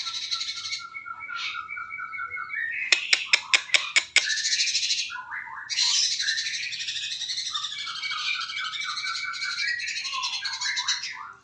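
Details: Sooty-headed bulbul song used as training material for other birds: rich, varied warbled phrases with a quick series of sharp clicking notes early on, then dense continuous chattering melody.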